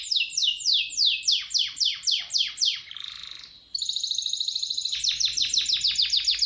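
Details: A singing canary gives loud swooping notes falling in pitch, a short soft buzzy pause, then a sustained bright trill and a final run of quick falling chips.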